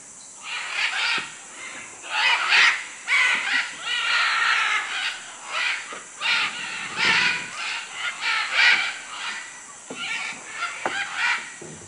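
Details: Several macaws calling in Manu, Peru, a dense run of overlapping raucous screeches and harsh squawks lasting nearly twelve seconds with only brief pauses, plus scattered low knocks.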